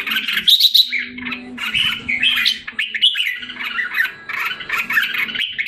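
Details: Short stretch from a caged red-whiskered bulbul in Singapore, recovering after losing form, July 2017: lively jumbled warbling phrases with sharp high accents, a brief lull near three seconds, and a quiet hum below.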